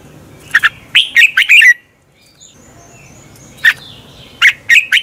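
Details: Red-whiskered bulbul giving morning dueling song used to train and stimulate other birds: two bursts of rich, rapid warbled notes, bubbling and slurred, separated by over a second of quiet with faint background hum.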